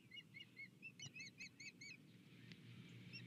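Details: Male and female osprey arriving together at the nest on a February 2020 morning, nest camera recording; bright whistled cheeps rising at the end, given in a quick series of about a dozen, then fading to soft background noise.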